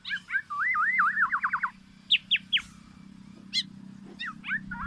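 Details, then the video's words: Black-naped oriole with its distinctive voice: a rolling series of looping whistled notes, then several sharp downslurred notes and a few scattered chirps over a constant low hum. "SUARA BURUNG KEPODANG EMAS YANG KHAS"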